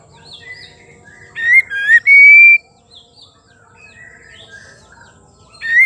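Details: Female white-rumped shama song meant to stir males to sing. A loud phrase of quick notes runs into a long sustained rising whistle, with softer warbling notes before and after and a new phrase starting at the end.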